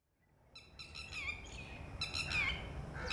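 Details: Female red-wattled lapwing calling from a distance at a ground nest as a chick hatches, warning of possible predators: harsh, rapidly repeated nasal notes in quick bursts, over a quiet outdoor background.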